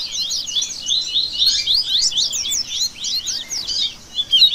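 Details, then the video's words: Coleiro song warm-up mix called a 'baderna': rapid, tightly packed high twittering with zigzag notes runs almost without pause, a brief gap and a sharp chirp near the end. "Esquente Seu Coleiro Que Tem Fibra!!! Baderna Top Para Manejo De Canto e Fibra!!!"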